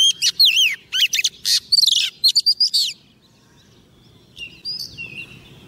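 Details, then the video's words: Oriental magpie-robin female decoy, singing to lure a male into a trap: a quick series of loud, looping whistles and buzzy notes for three seconds, then faint distant twitters. "Choè than mái mồi hót gọi trống"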